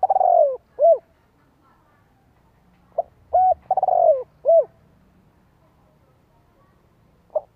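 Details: Spotted dove cooing in the 'thổ đồng' voice style, used as a lure to provoke wild doves. Low, mellow coos, a drawn-out descending note, then a short coo, repeated in two phrases with long pauses. The background is quiet.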